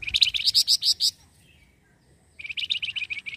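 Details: Flamboyan bird singing actively, used as a lure to draw in other birds: bright rapid chirps repeated in quick bursts, one run of about eight notes, a short pause, then a second similar burst.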